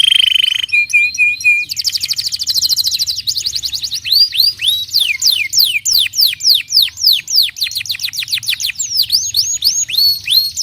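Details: Canary singing to encourage young canaries to start singing: a pure steady whistle opens, followed by quick clipped trills, then a long run of repeated descending swoops about three or four per second, bright and high.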